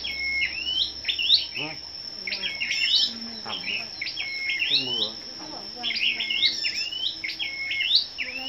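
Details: Scarlet-backed flowerpeckers in a morning singing contest on 10 May: crisp, high hooked notes in steady runs, with lower rasping, stuttering sounds between them and a persistent high buzz behind.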